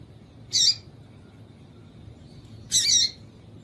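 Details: Female yellow-bellied seedeater call meant to excite males for singing tournaments: two high, harsh chirps roughly two seconds apart, the second slightly longer, against quiet background hiss.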